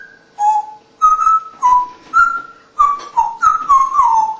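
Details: Captive African Congo grey parrot, a mature rescued female kept indoors as a pet, gives a run of clear whistled notes. The notes rise and fall around a mid pitch, roughly eight phrases over four seconds, with a faint steady hum behind.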